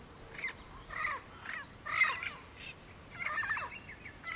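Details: Southern screamer with a juvenile at Porto Jofre in Brazil's Pantanal, recorded 25 September 2013: a series of harsh, honking, harmonic-rich notes in short bursts about every half second, some louder than others, over a faint steady background hiss.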